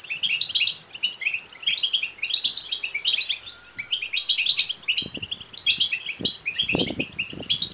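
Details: Begging goldfinch chicks: rapid, overlapping high chirps in steady waves, with occasional low knocks and rustling toward the end.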